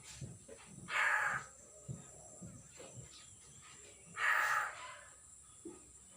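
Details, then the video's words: Newly caught common hill myna, not yet talking, recorded 6 December 2022: two loud, harsh, rasping screeches about three seconds apart, with faint low knocks and a steady background hiss. "burung beo baru di tangkap belum bicara"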